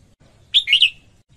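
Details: A single brisk phrase from a female red-whiskered bulbul singing to stimulate males: three quick, clear, slurred whistled notes, the last two rolling together.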